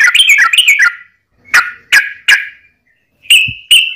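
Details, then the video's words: Yellow-vented bulbul fighting song used to provoke other bulbuls into singing; a quick bubbling burst, then spaced sharp chattering notes, ending with two short level whistles. "trucukan gacor TARUNG ROPEL PANJANG pancingan trucukan agar bunyi"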